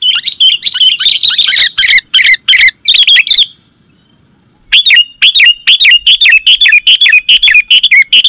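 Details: Sooty-headed bulbul lure recording for catching birds: dense, rapid chattering chirps in a busy stream, a gap of more than a second, then another quick, even run of bright twittering notes.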